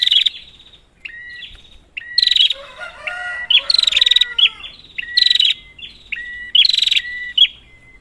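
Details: Lure call of a prinia to stir a bird that will not sing: buzzy rattles paired with level whistled notes, repeated in irregular phrases, with a faint softer twittering in the middle.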